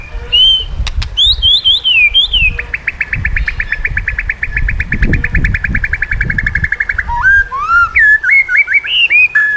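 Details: White-rumped shama song used to train shamas: whistled slurred phrases, a four-second rapid even rattle, then varied sliding whistles, over low background rumble.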